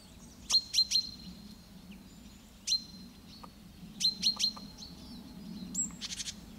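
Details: Great tit singing repeated quick phrases of two or three sharp, high notes, one phrase then a lone note, then another triplet, ending with soft buzzy chatter over a steady low background hum.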